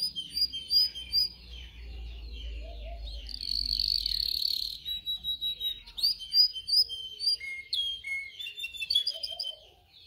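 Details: Canary training song: varied warbling with short whistled notes, a burst of dense buzzy trilling in the middle, then choppy rising chirps and quick notes, with low background rumble.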